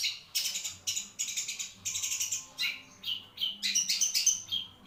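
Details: Long-tailed shrike kept as a cage bird, delivering a rapid scratchy song of dense harsh phrases, fast chattering runs, and a few sharper whistled high notes near the end.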